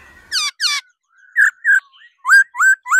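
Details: Female laughingthrush singing to stimulate males: short clear whistled notes in pairs, first high and descending, then rising slurred whistles repeated at a quick pace with brief silent gaps.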